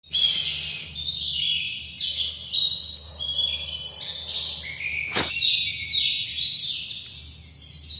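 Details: White-eye of the local type called dakun, from Bali, singing a fast, unbroken twitter of high, sliding chirps and trills that jump up and down in pitch, with one sharp click about five seconds in.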